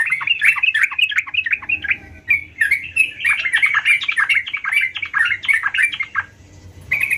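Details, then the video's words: Energetic gacor singing by a sooty-headed bulbul: a long, unbroken cascade of rapid, bouncy whistled chirps, about three per second, ending with a pause and a last short phrase. "Burung Trucukan Gacor"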